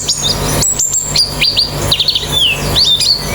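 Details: White-eye song from a therapy track meant to get a bird singing quickly with open beak: sharp high whistles, a long level note, rapid flicking chirps and downward slurs, over a faint low hum.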